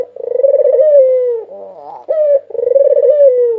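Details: White ringneck dove, a 2022 national champion bird, recorded as a lure: two long rolling coos, each opening on a short clear note and falling at the end, with a brief softer grating phrase between them.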